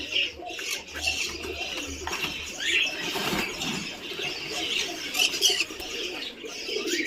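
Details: Helmeted guineafowl (Numida meleagris) chicks about four months old on a poultry farm in Assam: a flock giving overlapping high, thin chirps and squeaky calls.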